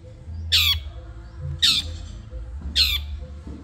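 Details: Madura long-tailed shrike on a masteran training recording. Three grating, downward-sweeping squawks come at roughly one-second intervals over a faint low hum.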